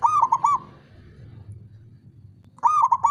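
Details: Cooing of a male zebra dove, a rapid run of rounded, bouncing notes that fades, then after about two seconds of low hum the same phrase starts again.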